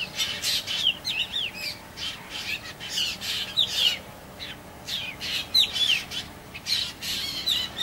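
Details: A juvenile black drongo utters clusters of bright, slurred chirps in bursts about a second apart, against pulses of loud static-like hiss.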